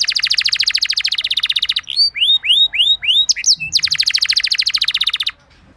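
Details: Canary 'gacor ngerol' song used as a lure for other canaries: a loud fast trill, five arched whistled slurs with sharp chips, then another long rattling trill before it falls silent.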